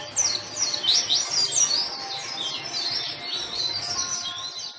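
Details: Active white-eye song played to trigger quiet white-eyes to sing: loud swooping, high warbled phrases for about two seconds, then softer high trilling.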